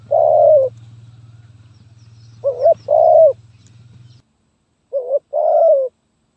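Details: Spotted dove song in the stuttering single-phrase style called gagap tindan (sepatah), recorded 23 January 2022: low hoarse coos in short groups of two or three, with a low steady hum underneath for the first part.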